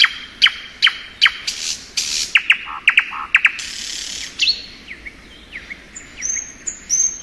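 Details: Thrush nightingale singing in spring: sharp clicking notes and brief whistles scattered irregularly, a few buzzy bursts near the middle, and high slurred whistles at the end.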